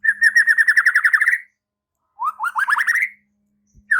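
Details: White-rumped shama singing vigorously in reply, unloading its repertoire: a rapid string of even whistled notes, a pause, then a second burst of notes sliding upward. A faint low hum runs beneath.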